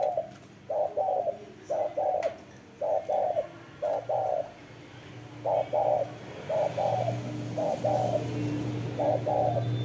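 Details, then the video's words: Series of soft spotted dove coos in doubled hoots, regularly spaced roughly every second, over a low hum that grows toward the end. "CHIM CU GÁY SIÊU GÙ"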